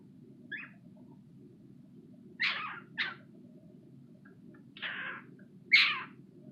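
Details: A pet cockatiel gives harsh, raspy screeching calls in short bursts over a low indoor hum.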